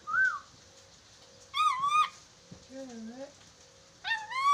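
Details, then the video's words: Chattering lory sounds on a talking-practice recording: a brief whistle, a strong harmonic wavering call, a low curved note and another bright harmonic call, each about half a second long, in near silence. "MASTERAN NURI DORA agar cepat bicara"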